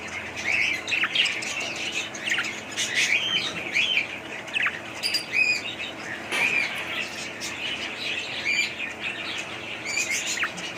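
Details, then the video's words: Budgerigars chattering together in a steady stream of warbled chirps, squeaks and short whistles, with louder sharp notes rising above the flock near the middle and end. "budgies parrot sound"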